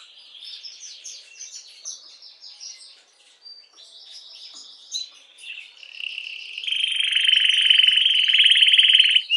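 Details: Singing canary, used to stimulate hens for mating: quick chattering high rolls and short phrases, building into a loud, sustained lower buzzing trill for the final three seconds.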